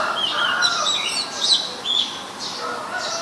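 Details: Short burst from an Oriental magpie-robin, very common resident of Ubon Ratchathani, Thailand, 23 December 2019: high thin whistles and chirps over a softer lower warble, a few notes repeated with brief pauses.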